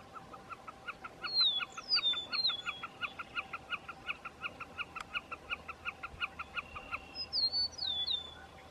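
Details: At Roy Johnson Wetlands near Cloverland, Wisconsin, a Wilson's snipe calls for a mate: a long, rapid series of harsh, even chip-like notes, about seven a second. A meadowlark's clear descending whistles sound in the background.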